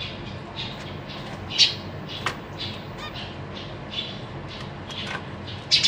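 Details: Captive zebra finch family in a big cage, with parents feeding three juveniles and three newly fledged babies, recorded 14 April 2023: scattered short nasal chirps and a few sharper squeaks over a steady low room hum.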